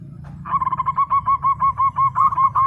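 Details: Local zebra dove singing vigorously. A fast series of soft, staccato mid-pitched coo notes repeats about four times a second, some notes slightly stressed. A low rumbling background noise runs throughout.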